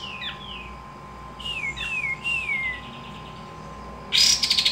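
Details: Javan kingfisher giving fainter high downslurred whistled notes in a loose series. A brief harsh buzzy burst closes the recording over a faint steady background hum.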